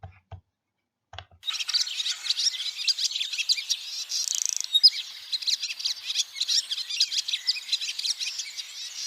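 A Barn Swallow twitters in a fast, continuous stream of high chirps with a brief buzzy rattle midway, after a few soft low thumps at the start.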